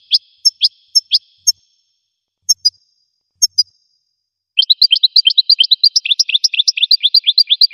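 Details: Goldfinch song opening with scattered single chirps and clicks separated by pauses, then breaking into a dense, continuous twittering trill of quick, varied notes.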